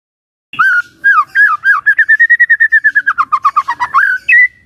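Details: White-rumped shama song used to lure and provoke other shamas, opening with looping whistles and building into a long, quick, evenly repeated series of clear whistled notes.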